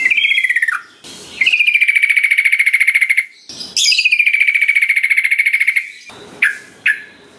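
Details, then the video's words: Yellow-vented bulbul song used as a lure so lazy birds start singing along: two long, buzzy, rapidly pulsed trills held near one pitch for about two seconds each, then a few sharp rising chirps. "Pancingan Trucukan Biar Gacor .Trucuk Malas Bunyi Jadi Ikut Ikutan Bunyi"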